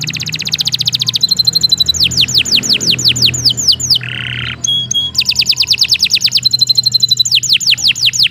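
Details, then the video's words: A canary sings a long, continuous song used for training other songbirds. Rapid high rattles alternate with runs of quick downward-sweeping whistles. A brief harsh buzzy note comes midway, with a steady low hum behind throughout. "Suara Burung Kenari II GACOR PANJANG Cocok untuk Masteran"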